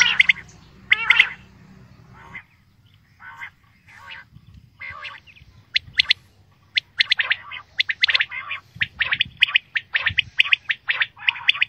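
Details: Female common quail calling: short, harsh, buzzy notes in pairs and clusters, first close and loud, then quieter bursts repeating irregularly, with a low steady hum in the background for the opening seconds.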